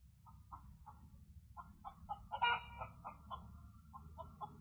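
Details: Chickens calling at 11 p.m. at night, Independence, Missouri, March 2023, recorded on a security cam; rapid repeated clucks about three per second, swelling to a louder squawk midway, with constant low hum behind.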